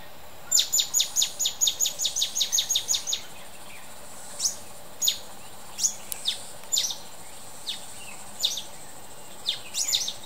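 A mountain bulbul gives a fast run of about a dozen sharp, high, down-slurred chips, then scattered single notes every second or so over a soft background hiss.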